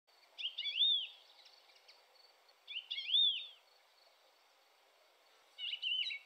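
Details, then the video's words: Thekla's lark singing on 25 April 2021 in lynx territory: short warbled phrases of sweet whistled and trilled notes, repeated about every 2.5 seconds, with faint background noise between phrases. "Cogujada montesina"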